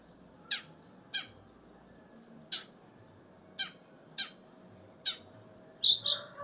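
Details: Long-tailed shrike giving short, sharp chirps about every half second to second, with a pause, then a louder double burst at the end over a steady low hum.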